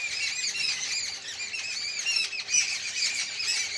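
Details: Evening chorus of many birds, a thick, unbroken wash of high chirps and squeaky calls overlapping one another, with a faint low hum beneath.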